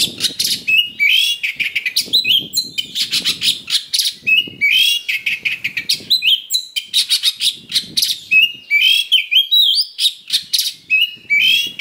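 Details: Oriental magpie-robin (kacer) in a lure song meant to provoke fighting, with full rough fillers: rapid harsh, buzzy bursts mixed with sharp rising whistles, delivered in dense continuous phrases with a low rumble underneath.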